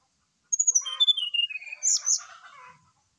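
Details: Brown-chested jungle flycatcher singing actively in the morning, an agitated bird used as a lure to prompt others to sing: a high thin whistle sliding down, then lower falling whistles and a burst of buzzy, chattering notes.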